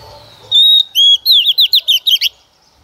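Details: Female decoy Oriental magpie-robin singing to prompt males into song: a long steady whistle, a downslurred whistle, then a fast series of seven looping, warbled notes.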